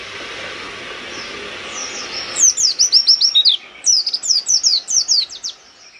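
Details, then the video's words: Oriental white-eye singing forcefully with beak open, meant to agitate rival birds: after a hissy start, two bursts of rapid, high-pitched twittering notes, each burst a tight string of sharp downslurred chirps. "Pleci gacor nembak buka paruh bikin lawan langsung kejang kejang emosi"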